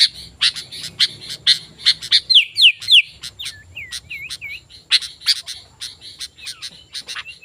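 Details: Lively sooty-headed bulbul song aimed at calling in wild bulbuls: rapid chirps and falling whistles, then a row of softer curved, wavering notes before the chirping picks up again.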